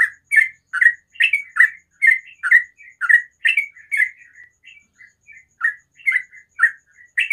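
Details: Sooty-headed bulbul in the morning singing ropel style: fast runs of chirped, warbling notes that thin into softer, fainter notes near the middle before strong chirps resume; otherwise quiet.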